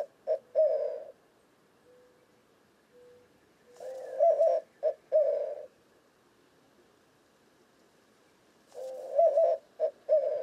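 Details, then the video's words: White-winged Dove (Zenaida asiatica), Western North America, giving low, hooting coos in short phrases of four or five notes, repeated about every four to five seconds. "White-winged Dove Cooing"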